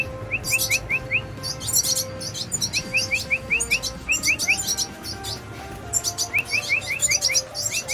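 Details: Baby red siskins at feeding time, giving dense bursts of thin, high chirps. A run of four or five short rising whistles repeats several times, over a faint musical drone.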